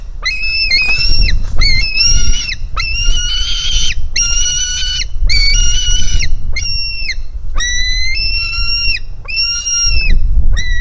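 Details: Hungry white-tailed eagle chick begging at a nest on a live nest camera, 4 July 2018, as it jumps toward its mother: long, level, piercing whistled notes, about a second each, repeated in steady series with brief gaps.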